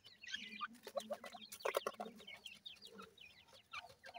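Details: Francolin (teetar) chicks being fed termites give thin, high, wavering peeps, repeated rapidly in quick runs. Sharp clicks and a low murmur sound underneath.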